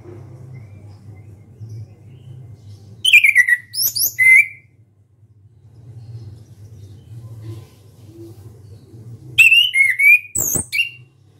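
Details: Orange-headed thrush kept as a songbird, delivering loud open-beaked song: two bursts of quick slurred whistles and sharp chirps, each about a second and a half, separated by roughly five seconds of low hum.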